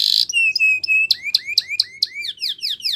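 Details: Canary training song: a brief buzzy high roll, then clear whistled notes, then a run of upswept chirps repeated about four times a second.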